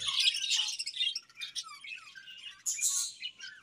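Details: Budgerigars in a colony giving squeaky chirps and short warbled phrases, with sharper squawky notes toward the end.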